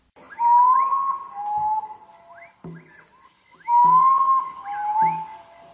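Common Potoo: mournful whistled phrases, a loud slurred note then lower falling notes, repeated about every three and a half seconds over a steady high insect hum.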